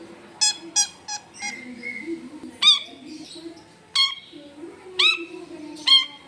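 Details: Long-tailed shrike recorded at home in a densely populated neighbourhood, giving loud harsh screeching notes with an abrupt start, some in a quick run of four, others spaced about a second apart, over low background voices and hum.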